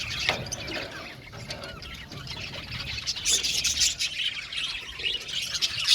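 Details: An aviary colony of budgies, with quieter chirping at first that builds into louder overlapping warbles and squeaky notes toward the end, over a low hum.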